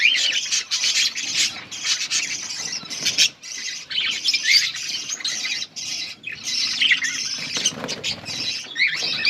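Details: Breeding budgerigars with chicks being fed: harsh squawking chatter and scratchy twitters run almost continuously, broken by brief dips near three and five seconds, with soft wing flutters.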